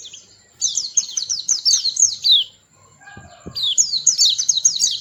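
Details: Small white-eye with a sweet voice sings fast, high, bouncing twitter phrases, interrupted midway by a brief lower clatter before the rapid twittering resumes.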